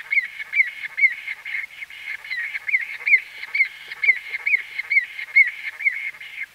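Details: Bee-eater, white-fronted, calling up close with a regular stream of brief curved notes, about two per second, each crisp and clearly separated, against a quiet background.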